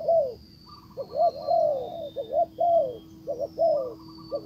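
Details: Decoy spotted dove cooing to draw in a wild bird that stays away; soft, mellow notes grouped into quick double coos followed by a longer drawn-out coo, repeated several times over a low constant hum.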